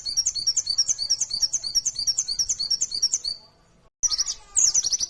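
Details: Mountain white-eye (pleci), a 'gacor' fighter bird singing in the 'ngalas nembak' style, used as a lure for other pleci: a fast run of high squeaky falling chirps. It breaks off briefly, then resumes with louder shrill notes.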